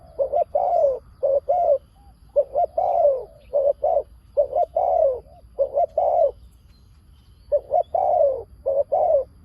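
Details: Spotted dove kept as a lure for wild doves, giving loud repeated coo phrases: paired short notes followed by longer falling coos, grouped in bursts with short pauses between.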